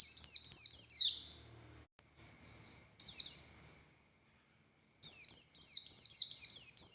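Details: High, thin Oriental white-eye song from a buxtoni bird: rapid strings of falling whistles broken into a one-second phrase, a short burst and a longer closing run, with brief silences between.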